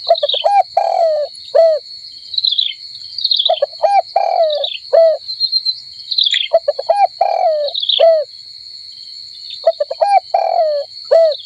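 A dove gives short, throaty, hooting notes in uneven bursts every second or two, over a steady high insect buzz.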